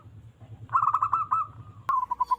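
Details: Wild local zebra dove, loud-voiced and used to lure birds for trapping, delivering a quick run of staccato coo notes that slows and fades, then a second shorter run after a sharp click.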